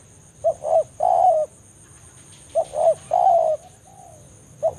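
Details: Forest spotted dove giving its rival-calling lure: paired short hoots followed by a sustained slightly falling coo, two phrases with a soft trailing note, against a constant thin high tone.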